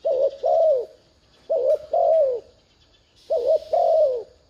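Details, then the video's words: Decoy spotted dove giving thúc gù coos to lure wild doves into calling: three even double coos about 1.5 seconds apart, a wavering note leading into a smooth falling tone, with light hiss. "Tiếng chim cu gáy thúc gù kích mồi mở lên bổi gáy liền"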